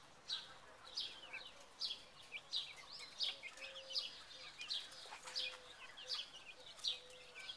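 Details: Caged Buff Orpington chicks, second generation, wandering around in May 2011: clear, high, slightly downslurred peeps repeated at a steady rate of just over one per second, with a faint low tone now and then.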